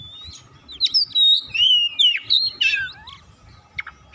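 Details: Song of a white-rumped shama used to draw and stir other birds to sing: sharp chips lead into long loud whistled slurs, ending in a falling twisting note and scattered soft chips.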